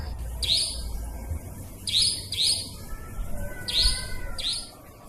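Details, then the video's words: Nightjar call used as a trapping lure, played day or night, with forest nightjar sounds mixed in. Sharp, bright chirps come in pairs and small groups over about five seconds. A faint thin whistle and low rumble sit underneath. "Suara pikat burung cabak ribut ampuh"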